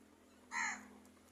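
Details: A single coarse, raspy caw from an angry crow, short and loud, cutting through a quiet background with a faint low hum.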